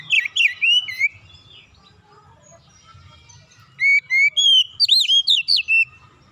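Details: Oriental magpie-robin giving a calm lure song to spur young untrained birds to sing: a short cluster of swooping whistles, a pause, then a longer fast series of bright, varied whistled notes.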